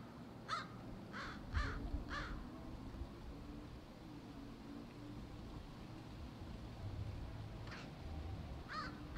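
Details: A tree full of crows: three or four hoarse caws at the start, a long quiet gap with low rumbling noise, then two more caws near the end.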